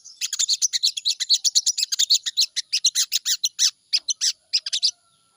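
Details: Sooty-headed bulbul played as a morning lure to make birds sing quickly: a long run of fast, evenly spaced high chirps for about four seconds, slowing into separate notes before stopping.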